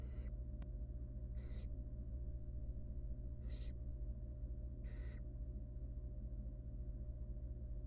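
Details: Wild barn owl nestling begging from its mother during feeding in a nest box; four hoarse hissing screeches spread over several seconds, a sharp click early on, then quiet hum.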